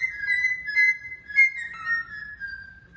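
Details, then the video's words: Singing male cockatiel giving a steady run of clear whistled tones, level and slightly wavering, with short pulsed accents and a final falling slide, quiet low hum in the background. "Calopsita Macho Cantando Muito"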